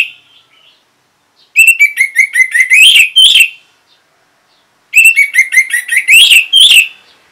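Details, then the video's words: Orange-headed thrush song: two loud, identical bursts of rapid chirpy notes with a harsher buzzy ending, about three seconds apart. It is linked to the bird's response to a lure sound. "Reaksi ANIS MERAH Saat Dipancing Suara Ini !! Langsung Nyaut"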